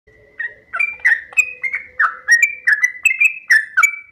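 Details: Sooty-headed bulbul, kept as a caged bird, in the long 'ropel panjang' rapid song style used as a training recording: short whistled, down-slurred notes in quick succession, about three per second, over a faint steady tone.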